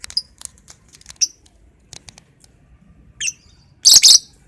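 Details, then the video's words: Lovebird in the morning giving scattered thin, faint squeaks, then a brief rising chirp and a loud, harsh double shriek at the end. "Burung lovebird di pagi hari"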